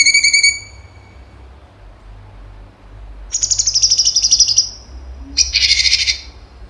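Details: Cucak cungkok in lively 'tembakan' singing: a short ringing whistle with bright overtones, a long quiet pause, then two fast rattling high trills, the second harsher and denser, over a faint low background hum.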